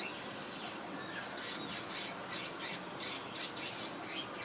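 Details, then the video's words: Swiftlet-like bird preening, Singapore 2017: a fast run of tiny ticking notes opens, followed by repeated loud high squeaky chirps about twice a second. "Cute Swiftlet-like Bird Chirping (Sound) & Preening"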